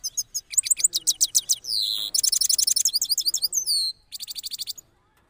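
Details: Rolling song of a moulted cross goldfinch from Parachinar: quick repeated high chirps run into long buzzy trills and descending slurs, ending in a short burst of fast twitters.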